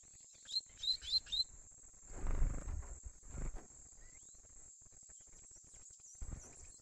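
A young double-collared seedeater gives four quick, thin, rising whistled notes in just over a second. A steady high insect-like hiss and dull knocking thumps follow.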